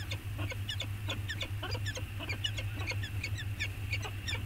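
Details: On Anacapa, a bonding peregrine falcon pair, webcam recording of 14 August 2021: an excited, rapid stream of harsh, rasping calls, many notes per second, over a steady low rumble.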